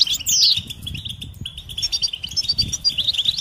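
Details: European goldfinch mating calls for stimulating males: a loud, descending slurred whistle at the start, then chains of high, tinkling chirps over a soft low rumble.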